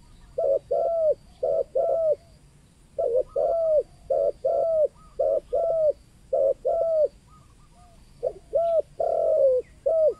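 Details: Spotted dove, local 'kuk 2' style, its call used to lure wild spotted doves. Regular paired coos, a short note followed by a longer one, repeated about twelve times over ten seconds against a low hum.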